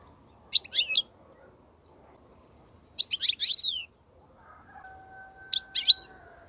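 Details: European goldfinch song for teaching young goldfinches: three short bursts of high twittering and chirping separated by pauses, with a steady low humming tone in the background near the end.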